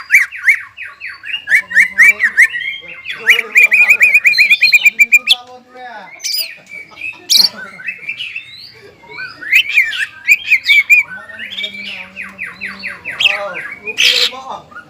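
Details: Greater green leafbird in ngobra and jamtrok song, roused by breeding urge: fast rattling trills, repeated sharp chips and buzzy slurred phrases in varied bursts over fifteen seconds.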